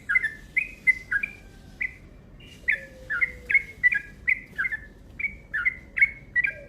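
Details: Yellow-vented bulbul giving a long, fast 'ropel' lure call: short bright chirpy notes repeated roughly twice a second in a steady series, some slurring downward, with faint low background rumble.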